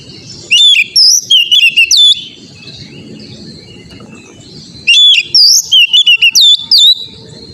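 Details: Oriental magpie-robin therapy song for a young untrained bird: a loud burst of varied whistles and quick chirps, nearly three seconds of low hum, then a second similar burst.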